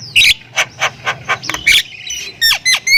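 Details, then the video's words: Javan myna of the Thailand type in full 'isian' song: a twisting whistled note, a string of soft rasping chirps, then clear whistled notes that drop sharply in pitch, with a faint low hum behind. "MERINDING DENGAR OCEHAN BURUNG JALAK INI || Jalak Kebo Thailand Gacor Full Isian"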